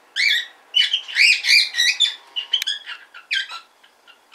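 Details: Tame hand-raised pet cockatiel practising speech: a run of rapid squawky, chattering syllables with rising and falling tones, short pauses between bursts, indoors.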